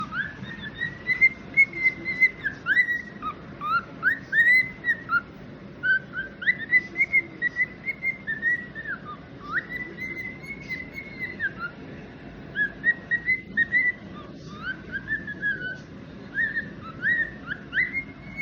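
A young cockatiel gives a steady run of bright, whistled chirps that rise and fall.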